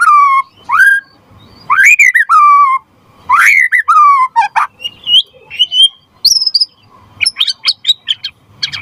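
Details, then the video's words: Murai batu, the white-rumped shama, singing as a lure and tutor for other birds: falling whistled phrases with chattering clicks, then high thin notes and a fast stuttering series near the end. "Suara Murai Batu Gacor Biar cepat BUNYI Auto NYAUT buat Pancingan & Masteran Burung Murai"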